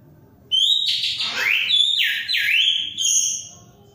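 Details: Orange-headed thrush, recorded as a lure for birds that have stopped singing, sings a loud, rich run of whistled phrases that swoop down and climb back up, without pause for about three seconds.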